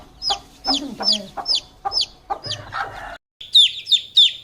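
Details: Chicks peeping: short high downward-sweeping peeps repeated about every half second, with lower clucking-like notes in the first second and a brief silence before three loud peeps.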